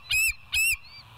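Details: Bald eagle at West End, filmed by a live nest camera at 06:55 on 21 September 2023; two loud, sharp squealing notes with a rising tail, then a thin fading whistle.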